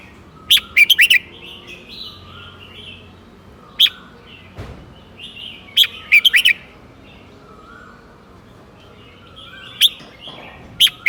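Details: Red-whiskered bulbul song in the southern Thai master style, praised for fine phrasing: short bright warbled phrases of three to five quick whistled notes in bursts several seconds apart, over low steady background hiss.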